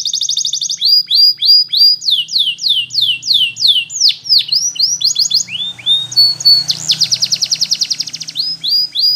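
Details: Belgian canary singing a rapid trill, then a chain of loud downward-swooping whistles about two per second, slurred notes, and a final fast trill over light background hiss.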